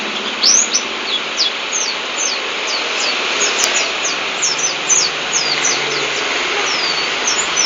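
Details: Local Lambur white-eye singing a rapid series of thin, high whistled notes, many sliding downward, delivered in quick succession over a steady background hum.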